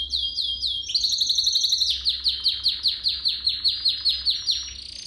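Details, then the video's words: Canary song for training young canaries: loud, clear, high whistles, then a series of downward-sweeping whistled notes repeated about two to three times a second. No background sounds. "Most powerful song for training Canary"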